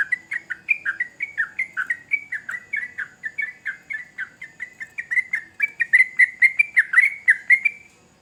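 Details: Sustained sooty-headed bulbul song: a dense chain of short, warbling, chirped notes at a brisk pace, building in loudness and brightness over eight seconds before stopping abruptly.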